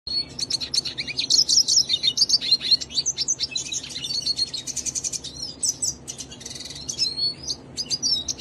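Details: Hooded siskin singing while perched on a person's hand: a long, rapid, high twittering of chirps, trills and thin whistles, run together with few pauses.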